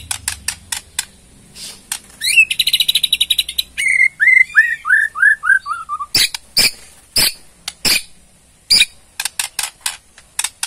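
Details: White-rumped shama from Borneo singing ketrekan to provoke a reply: a buzzy trill, then a run of falling whistled notes slurring downward, followed by a long series of sharp dry clicks.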